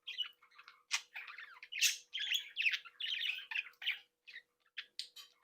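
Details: Budgerigars in a captive breeding group, chattering and singing: rapid overlapping scratchy warbles and chirps, loud harsh notes mid-way, fading into sparse chirps.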